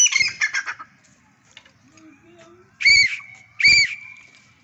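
Grey francolin giving loud, ringing, high-pitched notes: a quick stuttering burst, then two strong clipped calls about a second apart, with a faint thin tone between them.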